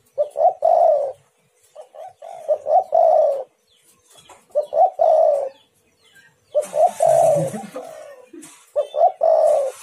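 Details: Spotted dove calling as a lure to get other doves to answer: four phrases of low, hoarse coos, each short notes ending in a longer falling coo, spaced about every two to three seconds, with a burst of hiss mid-way.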